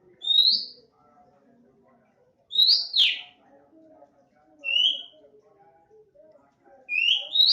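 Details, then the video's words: Oriental magpie-robin, an untrained young bird just starting to sing regularly, gives loud clear whistled phrases, rising and falling, in bursts about every two seconds, over a quiet background of soft low chatter. "KACER NEMBAK SUARA ASLI ALAM"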